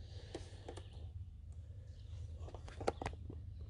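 Quiet indoor room tone with a low hum and scattered soft clicks and knocks, and no animal voice.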